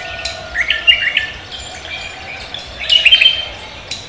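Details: Javan green magpie in full morning song, 'koak kelapa' style: two bursts of sharp whistled notes, the first with stepped rising tones, the second louder with quick trills, against a low steady hiss.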